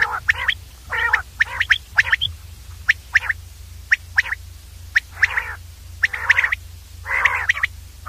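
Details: Common Quail calls in clear audio: short bright clipped notes in twos and threes alternate with coarse raspy bursts, spaced irregularly over a low droning hum.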